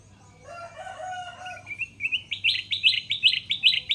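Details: Tamed, wild-caught Sooty-headed bulbul used for luring and tutoring: a lower rough call fades into a rising whistle, followed by about nine quick, regular high chirps.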